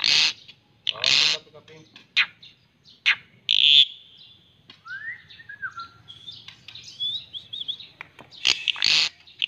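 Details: A white-rumped shama gives a series of harsh, noisy bursts and sharp clicks, then a descending whistled glide, more thin warbling notes, and further rasping bursts at the end.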